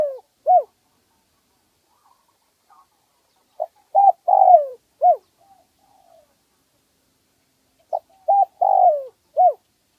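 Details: Wild spotted dove with a medium voice, recorded as playback for luring birds. Soft mellow coos in repeated phrases about every four seconds: clipped opening notes, a drawn-out descending coo and a short closing note, in a quiet background.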